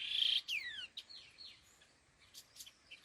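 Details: A pair of laughingthrushes (khứu lùn) opens with a loud harsh rasp and quick falling whistled slurs, then trails into softer scattered chirps and clicks.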